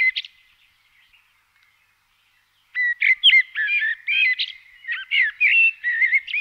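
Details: Common blackbird from the Czech Republic singing: a few brief high notes, a pause of about a second and a half, then a run of loud, fluted, warbled phrases that rise and fall, varied and closely spaced, with nothing else heard.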